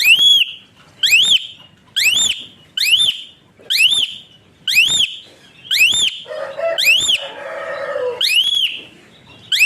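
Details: Caged Asian pied starling with a whistle-like voice, used as a model for training other songbirds: piercing upslurred whistles repeated roughly every second, with a brief lower buzzy rasp midway through.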